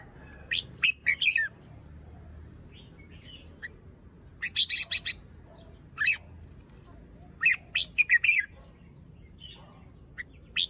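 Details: Juvenile red-whiskered bulbul in a cage, crest still short, showing off its song phrases in the morning: repeated bursts of sharp, rich, downward-slurring whistles and chirps, some in quick triplets, with brief pauses between them.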